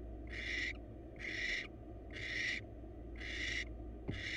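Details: ['Male barn owl brings the female a mouse for dinner at a wild nest box; five long breathy screeching hisses, spaced about a second apart, with low-frequency hum underneath.']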